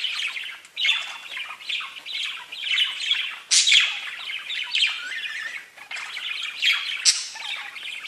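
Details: Chirping parakeets conversing in a constant stream of mixed chirrups, whistles and squawks, dense and overlapping throughout, with a loud sharp call just after three and a half seconds.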